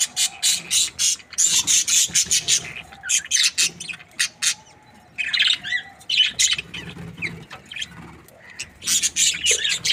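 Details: Budgerigars, Australian parrots kept as breeding pairs, giving dense bursts of harsh, high chirps and squawks in rapid clusters, pausing briefly between runs, with overlapping calls from several birds and faint low background hum.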